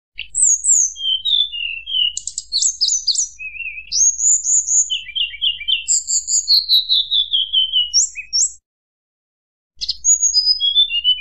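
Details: Long fluting song from a white-browed shortwing, played to provoke rival birds: fast jumbled whistles and buzzy notes, then a long sliding descent of pure tones, a short silence, and further falling whistles.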